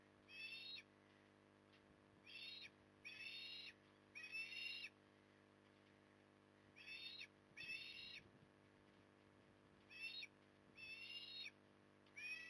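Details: During an evening feed at Port Lincoln, Australia, on 9 October 2020, an osprey calls again and again with harsh, wheezy, slightly rising notes of about half a second each, bunched in twos and threes, with faint low thumps between them.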